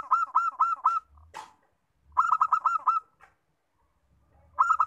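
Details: Local zebra dove song: quick rhythmic rolling coos in bursts of about six pulses, repeated roughly every two seconds, with a short clatter between phrases.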